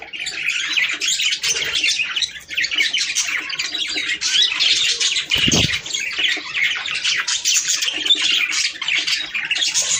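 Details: Budgerigars in full chorus, sound played to stimulate mating: steady, crowded warbling and squawking, with one brief low thump partway through.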